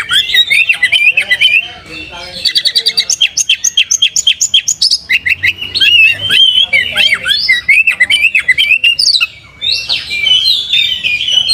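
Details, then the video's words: Oriental magpie-robin singing a varied song in the style of another bird, a fast mix of whistled notes, rapid repeated chirps and sharp clicks, phrases running almost continuously throughout. "kacer rasa sikatan londo"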